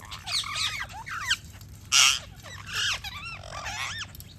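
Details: Parrots chirping: looping, curving whistled notes rich in harmonics, a sudden loud harsh screech at two seconds, then more twisting chirps and chatter from several birds.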